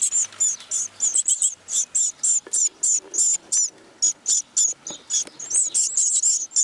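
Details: Great tit hatchlings in the nest, eyes now open, begging during a cold spell in the Netherlands: shrill, high-pitched squeaky calls in rapid, closely packed bursts, several per second, nearly continuous throughout.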